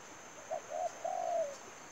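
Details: Spotted dove used as a decoy for trapping, giving one short cooing phrase: two brief soft notes, then a longer, drawn-out, slightly falling coo. A steady high-pitched hiss runs underneath.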